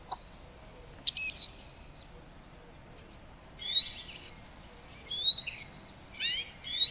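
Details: Eurasian siskin song: a long thin whistled note, a few sharp clicks, a pause, then quick twittering, buzzy high phrases repeated about every second, background otherwise quiet.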